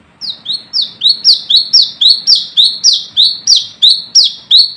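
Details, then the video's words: Brown-throated sunbird, bird calling rivals, a lure call: fast, fairly even series of about fifteen shrill notes, each slurring down into a brief flat buzz, quiet background. "Manggaran Ngalas Gacor"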